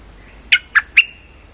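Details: Streak-eared bulbul lure call for trapping: three separate bright chirps about a quarter second apart, the last sliding into a brief level whistle, with a constant faint high tone behind.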